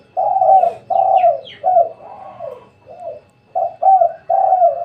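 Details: At home around midday, a spotted dove gives a series of low, mellow coos in short separate bursts, a few fainter notes in the middle, then louder coos again at the end.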